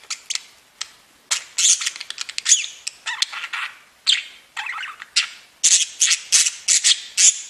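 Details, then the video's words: Pet budgerigars singing and tweeting: dense, fast chatter of high buzzy chirps and squawks in quick bursts, with a few sharp clicks mixed in. "Веселое пение волнистых попугайчиков / Funny singing of wavy parrots"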